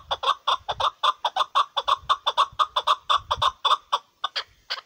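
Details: Hunting chakor (chukar partridge) calling a steady run of loud, clucking chuk notes about two per second, slowing and breaking off near the end, faint low thumps in the background.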